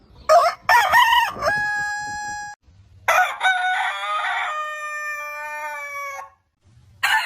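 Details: Rooster crowing: two short, rough bursts lead into a long, clear crow held about a second. A second crow starts raspy, then stretches into a tapering ringing note lasting around three seconds.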